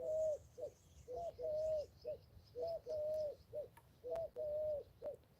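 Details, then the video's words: Ringneck dove cooing outdoors during a trout fishing outing: low, hollow coos in repeated phrases, a short note followed by a longer drawn-out one, with faint bird chirps in the background. "pigeon with a black line. That's what a ringneck dub is."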